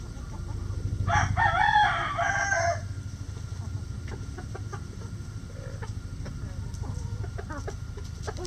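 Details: Chicken hens, with Rhode Island Red, Wyandotte, Sexlink and Welsummer hens and a Golden Sebright rooster in the flock, giving a loud harsh squawking egg song for about two seconds, then softer clucks over a steady low motor-like hum.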